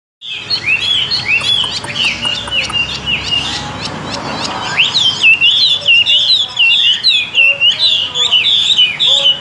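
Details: Caged, tame Chinese hwamei singing a loud, rich run of varied whistled phrases, slurred up and down and delivered in quick succession with no pause; a slight dip midway before the song resumes even more strongly.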